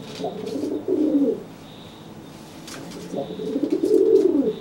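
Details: Threatening coos from a pigeon making itself look bigger toward a wet, flightless pigeon after bathing: two deep rolling phrases with a pause between, plus soft tapping sounds.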